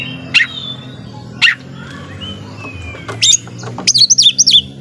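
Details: White-rumped shama, a kept songbird, singing short sharp whistled notes and chirps, spaced phrases then a rapid burst of high whistles near the end, over a steady low hum.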